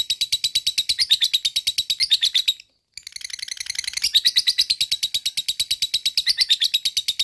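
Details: Long ngekek chatter from a lovebird, played to rouse other lovebirds into singing; fast, rattling high trill broken by one short pause near the middle, then resuming just as rapid and loud.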